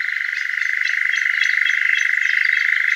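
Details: Male Eurasian nightjar churring one June evening from a large oak at Hazeley Heath RSPB reserve, Hampshire: a steady, rapid mechanical trill of evenly pulsed notes that holds a constant pitch throughout, with no other sounds.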